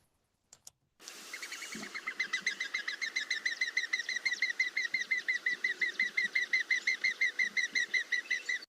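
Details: A Mourning Dove taking off makes a fast, steady series of high, squeaky wing whistles, several per second, after a faint click; the whistle comes mostly at take-off and is thought possibly to alert other doves in the group.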